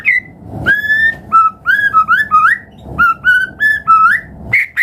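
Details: White-rumped shama lure song for prompting other birds to sing: pure, clear whistles, some long and level, others rising in pairs, delivered in short spaced phrases.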